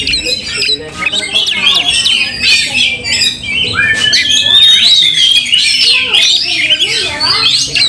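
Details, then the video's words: Oriental magpie-robin in fighting display, tail opened, delivering a busy stream of whistles, buzzy squawks and sweeping slurred notes, with one long clear whistle near the middle. "Kacer tarung bongkar emosi buka ekor dongkrak amarah bikin kacer lain tambah Garang KEPANASAN"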